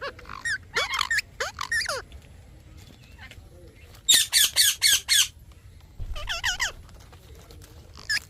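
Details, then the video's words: Parrot mixing curving whistled chirps with a rapid series of five loud, harsh squawks, followed by more looping whistles. "Parrot Chirping Sounds"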